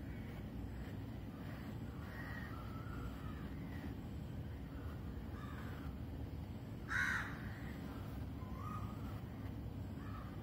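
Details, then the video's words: Crows calling at dawn, 06:03 am, alongside cuckoos and other chirping birds, captured on a phone. Scattered faint calls lead up to one loud, rough caw near the middle, with a constant low wind hum underneath. "Cuckoo, Crow & Birds Chirping Sounds"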